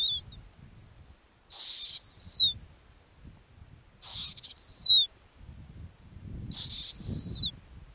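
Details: Arctic snowy owl, a female sitting on her ground nest, gives a regular series of shrill descending whistles, each roughly a second long, about every two and a half seconds, with soft low background rustle.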